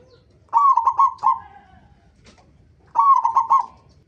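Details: Zebra dove from local stock, its song used to coax others to sing: two matching phrases of four quick, rolling coo notes each, about two seconds apart, over a faint low rumble.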